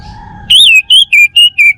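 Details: Male orange-headed thrush of the Bali type, a kept songbird, singing a quick phrase of five clear whistled notes, the first rising then falling, the rest short and slightly slurred downward.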